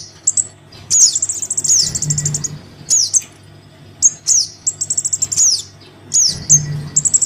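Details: Crimson sunbird chick calling its parent, a recording used as a lure: very high, thin chirps alternate with rapid buzzy trills and sharp downslurred notes in short bursts, over a faint low hum that swells briefly twice.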